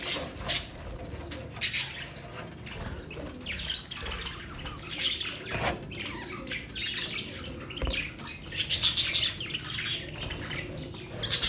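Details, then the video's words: Budgies making mating sounds: intermittent high chirps and scratchy squawks spread over several seconds, building into a livelier cluster of notes toward the end, with light clicks and rustles. "Budgies matting sound"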